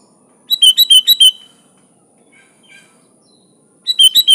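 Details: Sooty-headed bulbul (kutilang) in lively song with natural fills: a fast run of about six sharp, chirpy notes, a gap with faint calls, then another rapid burst begins.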